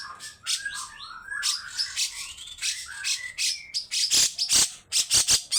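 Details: Grey-cheeked bulbul giving long harsh rasping phrases, used to rouse other birds into singing. Bursts of loud scratchy noise alternate with short whistled slurs, then quicken into rapid harsh rasps toward the end.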